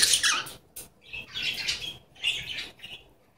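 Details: Talking pet Goldie's lorikeet, male, said to utter "give me a kiss"; separate short rasping, speech-like syllable groups with quiet gaps between them, opening with a sharp shrill burst.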